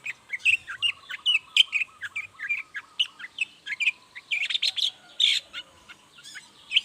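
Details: Long-tailed shrike singing actively in the morning, used as a lure to make silent shrikes answer; a rapid, varied run of sharp chirps and short whistled notes, closely packed and bright, with quiet background.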